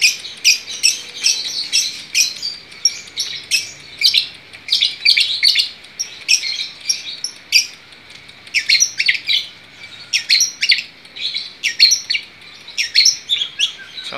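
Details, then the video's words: Long-tailed shrike delivering a long, continuous gacor song of high scratchy chirps and chattering phrases in rapid irregular bursts, barely pausing, with a brief faint low hum early on. "cendetnya jadi gacor mantap"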